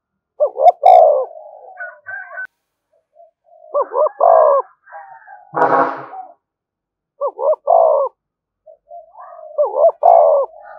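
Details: Spotted dove calling to provoke other doves: short, hoarse coo phrases, a quick double note followed by a longer descending coo, repeated four times over about eleven seconds. Softer cooing runs between phrases, and a brief harsh burst occurs midway.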